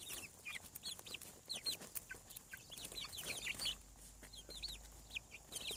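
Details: Chicks on a farm around hatching, giving dense, overlapping high peeps, each short and downslurred, repeated rapidly throughout, with scattered clicks and taps beneath.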